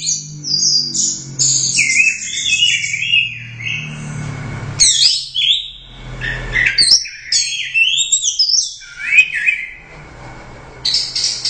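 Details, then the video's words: Competition orange-headed thrush, Royal Cup champion, delivering a nonstop teler doyong song of rapid whistles, trills and sliding notes over a low humming background noise. "Suara Burung Anis Merah | GACOR Teler Doyong Juara I Royal Cup"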